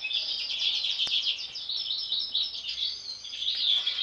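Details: Sibling European goldfinches, two born with an anomalous mask, keep up a continuous bright twittering with buzzy trills over faint background hiss and a single sharp click.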